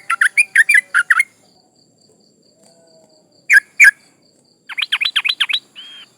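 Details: Female yellow-vented bulbul in breeding condition calling males, used to lure rivals; varied slurred chirps in quick series, two sharp isolated notes, then a rising and falling chatter ending in a short whistled tone.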